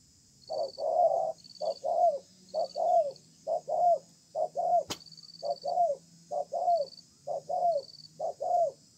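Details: Spotted dove, a tough freshly caught wild bird, in a calling contest under a communal house: an even run of paired coos, each long note bending downward at its end, with one sharp click and faint high beeps.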